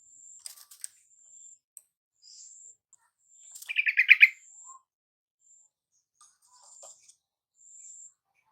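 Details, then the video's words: Yellow-vented bulbul lure for a caged bird that refuses to sing: scattered thin, high whistles and ticks, then one loud burst of fast bubbly notes midway, followed by more faint high whistles. "Pancingan TRUCUKAN MALES KICAU dan MACET TOTAL Agar nyaut GACOR"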